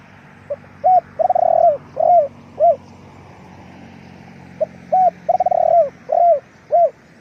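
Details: Spotted dove, a decoy bird used for luring wild doves, giving two cooing phrases: short rising notes, a long rolling coo, then falling hooked coos, with a low steady hum underneath.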